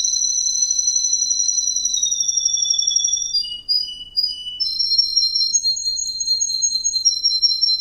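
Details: Russian green canary male performing rolling high trills, a short pause filled with a few separate whistled notes, then rapid trills resuming at varied pitches.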